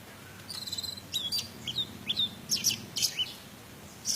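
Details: Orange-headed thrush in teler style, used in Indonesia to stir emotion and trigger singing in birds gone quiet. Spaced, high whistled notes and short sharp chirps come in bursts, with quiet gaps between phrases.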